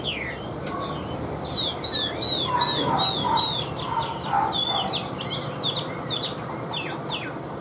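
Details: Tame caged Chinese hwamei repeats a clear whistled note about two times a second, with softer lower notes between. The song ends in a few higher, varied slurs over a steady background hiss.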